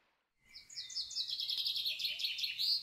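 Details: A common kingfisher at the Marismas Negras ornithological reserve, Astillero, Cantabria, Spain, gives a rapid run of shrill, high whistled notes, piercing and slightly wavering, with faint background hiss.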